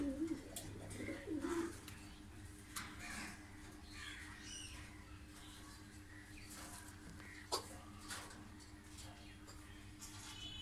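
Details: Blue bar-less Lahore pigeons, a breeding pair: low, throaty coos rumble through the first two seconds, followed by steady background hiss, faint chirps and an occasional sharp click.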